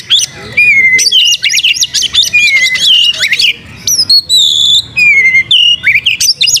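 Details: White-rumped shama singing energetically with tail spread: loud, clear whistled phrases, falling slurs and rapid rattling chip runs, varied and continuous, in a quiet setting.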